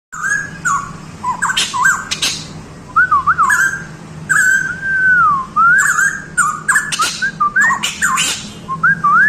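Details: A pitohui, a Papuan endemic, sings rich, slurred whistles, each phrase rising and falling, in loose bursts. Sharp clicks and rattles are heard, apparently from a small indoor space.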